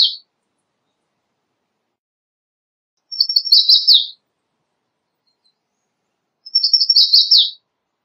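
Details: Singing American redstart: a phrase tail, then two high, rapid series of thin repeated notes dropping at the end, spaced about three and a half seconds apart in silence.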